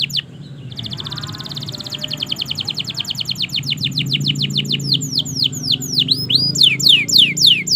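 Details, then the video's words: Canary song for prompting silent birds to sing: a short opening note, then a rapid buzzy trill slowing into clear descending sweeps and loud swooping phrases, low hum underneath. "Masteran suara Burung Kenari Gacor Panjang Auto Nyaut Kenari Macet dan Paud"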